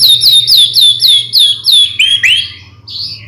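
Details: White-rumped shama singing to stir other shamas into song: about seven identical bright, down-slurred whistles repeated quickly, followed by lower rising whistled notes and a short fading phrase.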